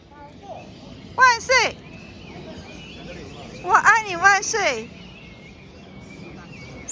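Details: Crested myna met in a park, mimicking human speech while chatting with a person: two short bursts of harmonic, speech-like squawky syllables with sweeping pitch, over steady outdoor background noise.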